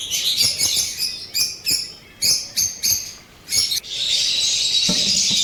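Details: Blue-coloured pet lovebirds in Pakistan, opaline and parblue opaline forms. A run of piercing chirps repeats about every half second, then gives way to a steady hiss near the end.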